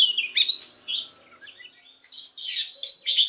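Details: Fighting song of an Oriental magpie-robin in voice training: a few slurred whistles, then a quieter gap and a louder run of rich warbled notes, with a steady high tone running throughout.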